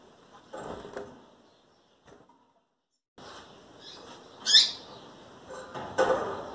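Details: A female double-collared seedeater, almost ready to breed and calling frequently, gives one sharp rising-falling high chip after a short silence. Soft rustles and clicks come before and after.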